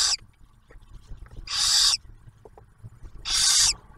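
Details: Barn owl nest near Oak Harbor, Ohio, during a meal for the first owlet, food delivered by the male; two full breathy screeches about half a second each, nearly two seconds apart, after the end of another.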